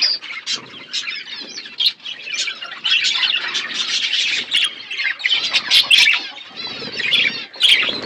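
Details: A group of budgerigars eating seeds in a natural outdoor aviary; softer chatter at first, then loud, dense squawky warbling and chirping bursts from many birds.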